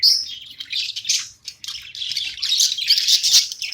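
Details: A playing pet budgie gives steady, rapid warbling chatter, high and buzzy, with a short pause near the middle before the chirping builds again.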